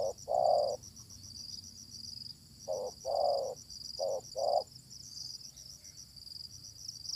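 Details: Wild, fierce spotted dove responding to a decoy while being lured: spaced low coos, a single note, then a pair, then two quick coos in succession, against a constant shrill insect drone and faint background hiss.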